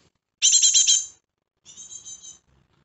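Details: Fledgling great tit chick in a garden: two bursts of fast, high, buzzy repeated notes, the first loud and harsh, the second softer and slightly more tonal, with a pause between.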